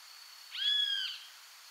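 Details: Great Kiskadee (Pitangus sulphuratus, benteveo común), one of Argentina's common birds, gives one loud, drawn-out, slightly arched high note of about half a second over a faint steady hiss.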